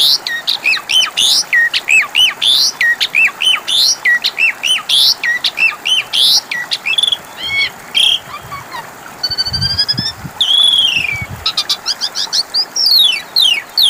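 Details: Asian pied starling singing as a lure for birds that have stopped calling: fast repeated upslurred whistles roughly every second, then buzzy rattles and descending squeals, with faint low thumps partway through.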